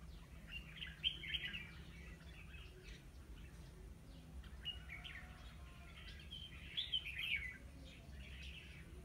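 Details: On 9 October 2016 a decoy red-whiskered bulbul sings to attract wild birds to a trap: a few loud warbled bursts at the start and near the end, softer twittering between, constant low hum behind.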